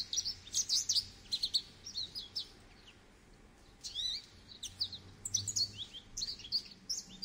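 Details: Goldfinch delivering bursts of high, tinkling twitters and buzzy slurred notes, a pause near the middle, then renewed rapid chirping phrases; faint low rumble underneath.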